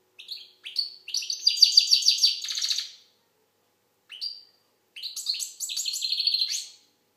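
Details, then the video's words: Algerian European goldfinch song: rapid liquid twittering phrases packed with buzzy trills and tinkling notes, two long bursts separated by a short pause and a brief chirp, clean and close. "Chardonneret algérienحسون. مقنين"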